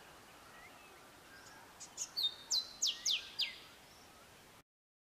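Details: Grey sunbird, a male, delivers a short, sharp phrase of about six high, clipped notes sliding downward, spaced evenly over a second and a half, then falls silent in a calm setting.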